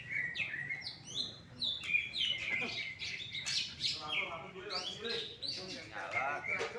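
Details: Caged greater green leafbird at an Indonesian songbird contest, where it took first place, delivering a fast, varied song of sliding whistles and sharp chirps, with brief human speech in the background.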